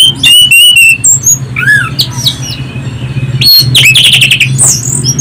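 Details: Orange-headed thrush singing loudly, played as a lure to prompt other birds: shrill ringing whistles, sharp rapid chips and sliding notes in quick varied bursts, over a steady low electrical hum.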